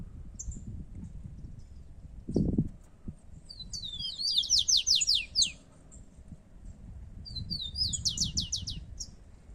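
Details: Competing rufous-collared sparrows, two birds: a brief thump, then two songs of high whistles ending in fast descending trills, separated by a few seconds of quiet chirps and low background noise.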